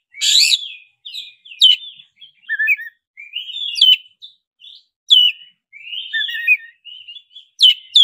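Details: Oriental magpie-robin, black-breasted form, song used as a lure to make a kept bird sing: varied whistled and chattering phrases mostly high-pitched, short bursts repeated irregularly with rising notes and sharp buzzy accents, no other sounds.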